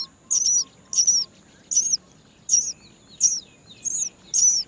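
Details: Hungry Great myna chicks waiting for food from their mother give shrill, high, downward-sliding squeaks, spaced irregularly a little over once a second, over a quiet background hum.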